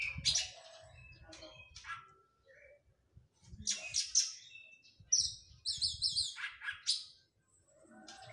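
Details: Oriental magpie-robin recovering from moult, singing softer scattered chirps and short whistles, then a burst of looping phrases, over a low murmur of background noise.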